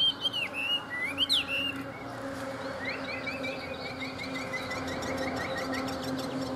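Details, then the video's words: A caged hwamei noted for fanning its tail and fighting well sings sharp swooping whistles. These give way to a fast series of repeated rising notes, with human voices faintly underneath. "Họa mi xòe cực vip - Bản lĩnh đấu tốt"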